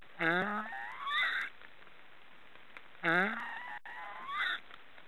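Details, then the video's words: Black storks give hoarse, honking, snore-like calls: a harsh falling note, then a nasal rising one, repeated about every three seconds. "Black storks are snoring"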